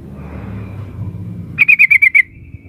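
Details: A female sooty-headed bulbul calls to the male with a brief, fast series of about seven sharp, bright notes descending slightly, ending in a thin sustained whistle over low rumbling noise.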